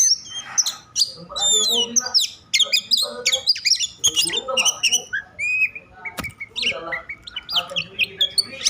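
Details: Agitated Oriental magpie-robin, its excited singing meant to draw other magpie-robins into song; a dense, fast stream of varied whistles, sweeping slurs and scratchy notes, with a few sharp clicks.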